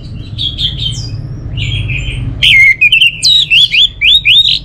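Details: Soft whistles and a thin descending note precede a strong, rhythmic orange-headed thrush phrase from North Bali: about eight loud, slurred whistled chirps in quick succession, over faint low hum.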